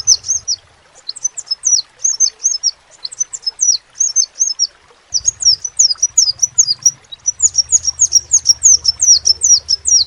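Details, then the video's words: Crimson sunbird, known locally as sepah raja, giving distinctive high chirping song. Short bursts of thin, squeaky slurred notes are split by brief pauses and end in a fast, crowded flurry. Low humming noise underneath. "SEPAH RAJA TERNYATA MEMPUNYAI KELEBIHAN DARI SEGI SUARA NYA YANG KHAS"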